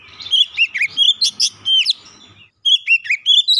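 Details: Oriental magpie-robin, song intended to trigger singing in a house-kept bird: dense string of bright whistled and chattering notes, a short gap, then further rising and falling whistles.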